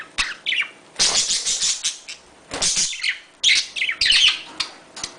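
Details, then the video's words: Budgerigar mating call given as loud, harsh, noisy bursts of chatter separated by short pauses, with a few clearer chirps and squeaks. "muhabbet kuşu çiftleşme sesi"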